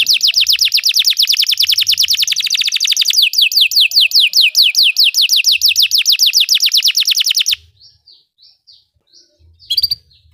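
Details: Singing Belgian canary used as a training song for other canaries, a dense rapid trill of falling notes shifting to a slightly slower trill, then near silence with a few faint chirps and one brief burst.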